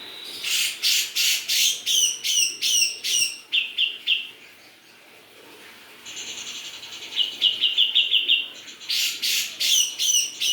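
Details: Greater green leafbird of Java in full, loud song: a run of harsh, broadband repeated notes about twice a second, a quieter sweeping phrase, then a fast high trill and more loud repeated bursts.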